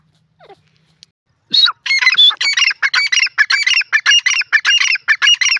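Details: Francolin, locally called dakni or Sindhi teetar, giving a loud, harsh, rapid series of rasping, honking notes that starts after a second of near silence and repeats almost twice a second, steady and insistent to the end.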